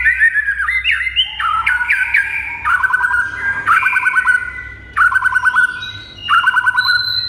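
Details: Training song of a white-rumped shama, loud varied whistles leading into rapid stuttering trills on a steady pitch, repeated in bursts with brief pauses between.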